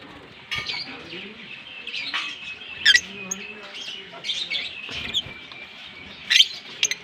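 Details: Green Fischer's lovebird pair, kissing, give a busy chatter of short squeaky chirps and harsh notes at irregular intervals, with a few sharp clicks and a soft low murmur underneath.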